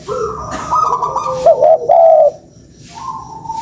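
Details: Spotted dove lure call: one brief phrase of low hooted coos ending in a longer mellow note, then quiet with a faint steady tone.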